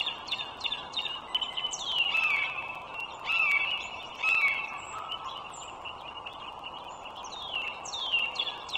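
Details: Bald eagle pair living wild along the Dulles Greenway, Virginia, recorded on a March 2023 morning: series of piping, falling whistles in bursts, some overlapping, against a continuous low background hum.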